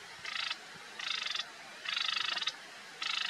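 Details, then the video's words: Marsh warbler song of four grating, buzzy bursts, each under half a second, separated by short pauses, with a soft constant hiss behind. "Bosrietzanger (vooral zang)"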